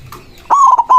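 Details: White zebra dove, called perkutut, with a loud song aimed at calling rivals: a quick stuttering run of level coos that ends in a drawn-out note, some soft chirps before it.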